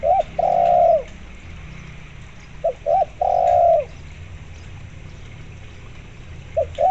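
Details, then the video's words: Spotted dove, a lively caller, mixed with local zebra dove sounds and used to prompt caged zebra doves to call; two short clipped coos followed by a long, steady, mid-pitched drawn-out coo, the phrase repeating about every three seconds. "tekukur gacor"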